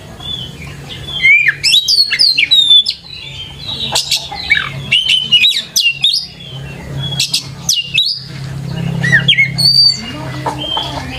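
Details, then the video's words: Lure recording of a white-rumped shama singing loudly, mixing clear whistled slurs with harsh chattering notes and sharp clicks in busy phrases, over a continuous low droning hum. "PANCINGAN KACER GACOR LANGSUNG IKUT NYAUT DAN GACOR"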